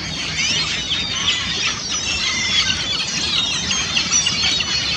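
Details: Flock of Ring-billed Gulls (Larus delawarensis) plunge-diving and feeding on abundant minnows on Lake Simcoe, Barrie, Ontario, 11 December 2015: a steady overlapping chorus of high, squealing mews and yelps over a soft background hiss.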